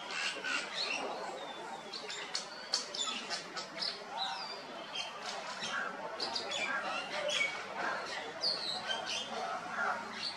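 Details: Streaked laughingthrushes in Kashmir in October 2021 chatter in a busy stream of short squeaky notes and thin rising whistles, several birds calling together over a steady background hiss.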